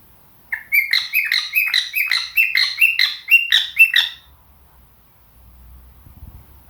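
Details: Pet cockatiel in morning song, budgies chiming in: about a dozen quick, bright chirped notes at a brisk even pace for three and a half seconds, then faint low bumping noise.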